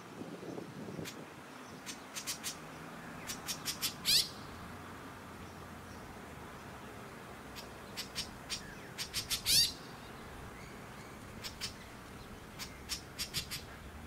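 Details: White-breasted woodswallow on Queensland's Sunshine Coast in January 2021 gives two bursts of clicking, harsh notes. Each burst builds into a loud, buzzy squawk, about five seconds apart, with scattered short chips in between.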